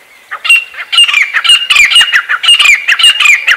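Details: Grey francolin from Pakistan, locally called sangli, giving a loud, high-pitched call: harsh squawking notes with bright whistled inflections, repeated steadily for about three seconds after a short quiet start.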